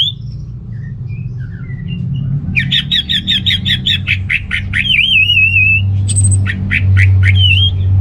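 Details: Orange-headed thrush song for provoking males lacking breeding urge: soft faint notes, then a loud rapid series of clipped repeated notes flowing into a long quavering whistle and high squeaky bursts; constant low rumble behind.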